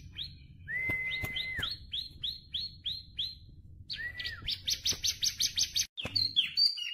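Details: Tame bar-winged prinia: a long level whistle among a series of hooked high notes, then an arched whistle, a rapid run of bright, evenly spaced strokes, and a few final chirps.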